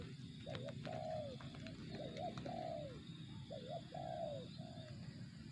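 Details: Spotted dove, the tekukur's 'target zong' call: phrases of a quick double coo followed by a longer, slurred, falling coo, given three times against constant low-pitched background hum.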